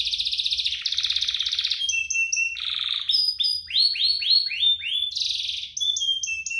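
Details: Two prolific singing canaries, used to prompt canaries to sing and to tutor young birds, give dense high trills alternating with rapid series of descending slurred notes and sharp upward sweeps, with no pauses.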